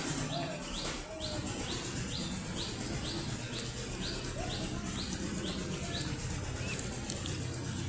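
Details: Ducklings from a brood giving a steady series of short high peeps, roughly two per second, over a loud continuous rushing background noise.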